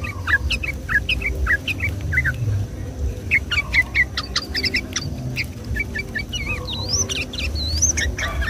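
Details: Sunday-morning sooty-headed bulbul singing in fast 'gacor ropel' style, used to lure and excite the same species: dense runs of short curved chirps, with a few longer rising whistles near the end over steady low background noise.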